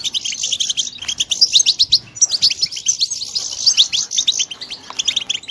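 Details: Brood of European goldfinch chicks producing a steady, bright chorus of short, high, tinkling chirps, overlapping in dense bursts with a short lull midway before the chatter resumes.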